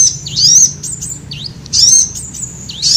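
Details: Sunbird calls used to lure birds: a few piercing, high, dipping-and-rising chirps in short spaced bursts.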